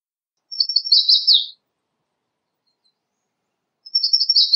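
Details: American redstart song, high rapid notes with a downslurred finish, followed after a gap of about two seconds by the start of the next repetition.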